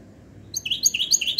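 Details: European goldfinch hybrid song, kept indoors: a short burst of quick, high, chirping twitters beginning halfway through and continuing steadily to the end.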